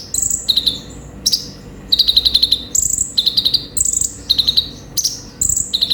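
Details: Olive-backed Sunbird (konin) in full, lively song: quick bursts of four to six sharp, high chirps alternate with single higher, thin whistled notes, phrases recurring about every second with short gaps and no other sounds.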